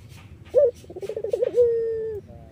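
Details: An Iraqi-type Eurasian collared dove (puter), used as a lure for other doves, gives a low hooting coo, then a wavering run of soft notes ending in a long, steady drawn-out tone, over faint hiss.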